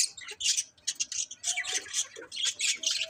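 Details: Cute colourful budgerigars chattering in quick rhythmic bursts of harsh, buzzy high chirps and squawks, about three or four per second.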